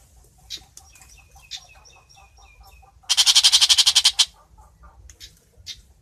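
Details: Long-tailed shrike singing to call its flock: a run of soft, short high notes, then one loud, harsh, rasping burst of rapid pulses lasting about a second, followed by scattered faint ticks.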